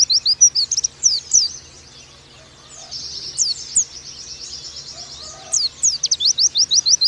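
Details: Pleci, or oriental white-eye, song in the nembak style: bursts of quick, high, slurred chirps open and close the passage, with a softer, thin buzzing twitter in the middle.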